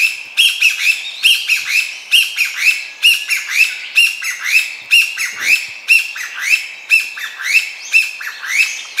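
Chinese bamboo partridge pouring out loud, harsh, ringing phrases about once a second, the insistent 'chotto-koi' rhythm run together in an excited series.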